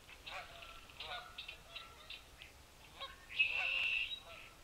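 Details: A group of red-winged blackbirds, newly returned in spring, visit feeders at the Cornell Lab of Ornithology by Sapsucker Woods pond, Ithaca, New York, on an afternoon of 27 February 2023: rapid, harsh chuck and check notes, about four a second, ending in a loud, buzzy, rattling trill.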